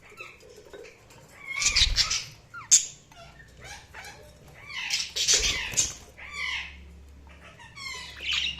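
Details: Budgies chirping with bursts of loud, harsh, scratchy notes and short rising whistles, interspersed with quieter warbling chatter and a few sharp clicks.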